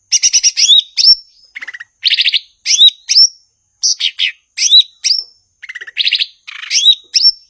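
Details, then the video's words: Gachor cucak ijo, the blue-winged leafbird, delivering fast, varied song: clusters of rapid clicking notes, slurred whistles dropping in pitch and harsh buzzy bursts, phrases returning roughly every two seconds. "Burung gachor Cucak ijo/Ranting"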